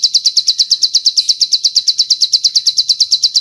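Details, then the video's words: Bar-winged prinia song filled with long cililin phrasing for tutoring birds: a shrill, evenly spaced note repeated quickly, about seven per second, clean and uninterrupted. "Masteran Ciblek Sawah Isian Cililin Panjang"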